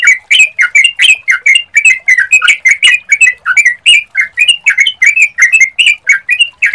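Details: Continuous sooty-headed bulbul song used to coax other bulbuls into calling back: lively, evenly spaced warbled notes, each a quick rising-falling slur, pouring out without a break.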